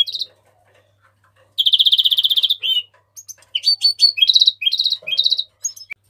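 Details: House finch warbling: a long, even buzzy trill, then a quick run of varied slurred notes and short trilled bursts, bright and high.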